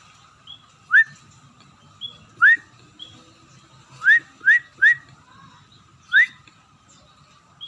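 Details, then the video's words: Scaly-breasted munia getting into full voice, giving sharp rising whistles singly and in a quick triple, with soft higher peeps between them and a steady background tone. "burung emprit [peking] mulai gacor"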